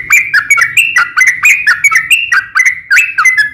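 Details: Sooty-headed bulbul singing its fighting song, used to lure other bulbuls to respond: a steady series of bright, bubbly whistled notes, each dropping then rising, about two or three per second.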